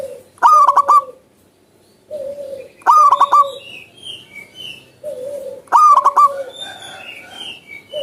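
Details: Wild zebra dove repeats its pulsed, rolling coo phrase three times, roughly every two and a half seconds. Low hoots and high whistled notes from other birds fill the background.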